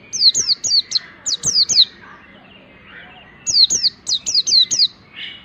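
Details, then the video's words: Mountain white-eye song used as training material for other birds: bursts of high, thin, sharply descending whistled notes in quick runs of three to five, separated by short pauses, over a quiet background. "pleci ngalas belajar materi ini bisa buat masteran segala jenis burung pleci"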